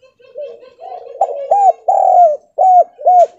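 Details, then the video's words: Javanese spotted dove giving a stuttering kuk-2/kuk-3 style lure call, meant to make other doves answer: soft low coos building into several louder, arched hooting notes spaced about half a second apart. "TEKUKUR GAGAP//PANCINGAN SUARA DERKUKU//KUK 2//KUK 3//TEKUKUR JAWA GACOR!!"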